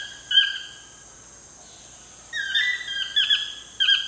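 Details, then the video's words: One yelp, a long pause, then a quick string of slurred, yelping toucan notes at sunset in wild Costa Rica, with steady shrill insects in the background. "TOUCAN SUNSET CEREMONY"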